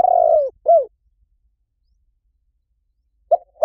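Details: Spotted dove lure sound, said to draw a fast response in any forest: the tail of a rolling coo and an arched hoot, then a long pause and two short soft coo notes at the end.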